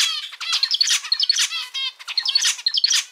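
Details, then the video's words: Pet male zebra finch sings short bursts of buzzy stacked notes mixed with brief bright tonal pips, the phrases tumbling out irregularly over about three seconds. "キンカチョウのさえずり・鳴き声 集めました②｜個性的なオス達 かわいい鳥 Cute Zebra Finch Songs 🎵 sing sounds calls"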